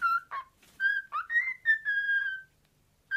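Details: Pet male cockatiel whistling a learned theme tune it has taken a liking to, mid-pitched clear whistled notes, some sliding and rising, a few notes missed or out of order, with short pauses between phrases.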